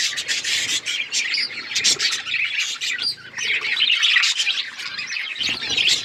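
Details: Colourful budgerigars chirping together, an unbroken flock chatter of harsh squawks, chirps and warbles.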